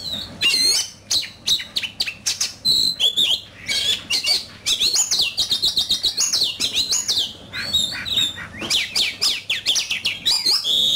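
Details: Caged oriental magpie-robin singing an intense duel song: long, unbroken stream of loud whistles, trills, rapid chattering notes and sweeping slurs, repeated in dense rhythmic bursts.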